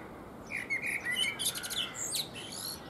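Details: Blackbird preening on a fruit tree and singing: a low fluted warble slides into a rapid high, squeaky twitter, then trails off in thin scratchy notes; faint background noise throughout.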